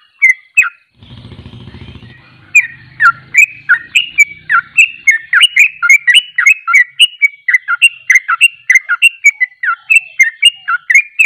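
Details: Ropelan song from a Sooty-headed bulbul, or trucuk: after two opening notes and a second of low buzzing hum, a fast, unbroken torrent of clear whistled, up-and-down slurred notes continues to the end.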